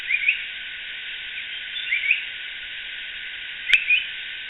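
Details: Yellow-browed bulbul (Acritillas indica) in Sri Lanka gives short, bright whistled calls with a quick rising flourish, three bursts about two seconds apart over a steady band of hiss.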